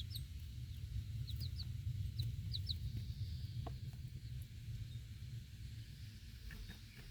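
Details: Broody backyard hen with four young chicks feeding outside, watchful after a dog startles the flock; scattered high chick peeps, some doubled, and a few soft clucks, set against constant low-pitched outdoor rumble.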